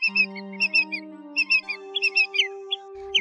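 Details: Common greenshank, recorded August 2022, giving bright ringing notes in short paired and triple bursts at an irregular pace, over a sustained low musical tone.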